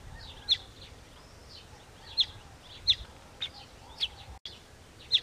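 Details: A weaver bird building its nest gives short, sharp high chirps at irregular intervals, about one a second, over a steady hiss of outdoor background noise.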